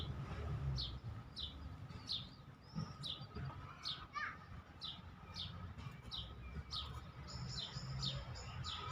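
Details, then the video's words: Maestro bird giving short, sharp, high chirps repeated roughly every half second, with a few brief twittering notes near the end over a constant low hum. "احلى تغريد مباشر لطائر المايسترو"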